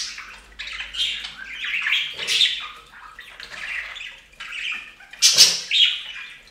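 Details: Pet budgerigars bathing on a fountain, chattering continuously in rapid, scratchy warbles and squawks, with sudden harsh broadband bursts that may be splashes or flapping.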